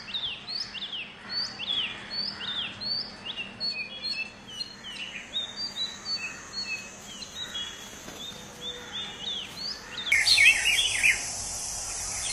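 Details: Orange-headed thrush singing in the wild, a bird said to sound like a drunk person; varied slurred whistled phrases of rising and falling notes in quick succession, with a steady insect hum and a burst of harsh noise near the end.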